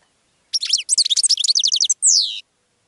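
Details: A goldfinch sings to attract other birds: after a short silence comes an unbroken fast string of tinkling, liquid twitters and metallic trills, ending in a long, strong downward-sliding whistle.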